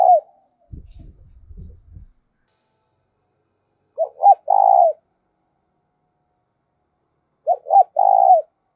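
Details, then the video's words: Spotted dove decoy cooing to stir rival doves into answering: a low rumbling noise, then two repeated phrases about three and a half seconds apart, each two quick clipped notes and a drawn-out mellow coo. "tiếng chim cu gáy Mồi thúc và gáy gọi"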